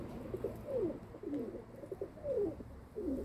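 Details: Kept domestic pigeons, recorded 27 May 2022, giving repeated low cooing notes that sweep downward, several coos close together in a few seconds, with a faint low hum beneath.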